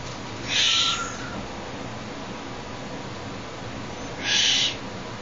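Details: Young captive Tengmalm's owl playing with a person's hand, giving two short, breathy, hissing bursts about three and a half seconds apart over a quiet background.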